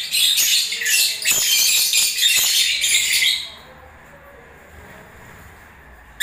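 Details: Lovebirds singing in breeding season: a steady run of shrill twittering and squeaks for over three seconds, then quiet with a faint hum, ending in a short chirp.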